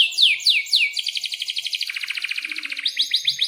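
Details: Singing canary with a long rolling song, meant as a tutor for young birds and for birds that have stopped singing: a few sharp upward sweeps, then a long rapid buzzing roll, shifting lower and ending in quick rising chips.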